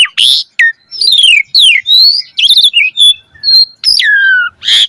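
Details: Jalak suren (Asian pied starling) in a lively lure song for caged birds, full of descending whistled slides, squeaky twisting notes and a harsh burst at the start and end.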